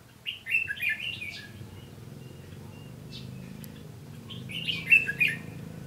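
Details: Red-whiskered bulbul singing in a fight near a lure bird in a trap, 15 June 2016: two bursts of rapid, chattering warbled notes separated by a quiet pause, with a low background hum.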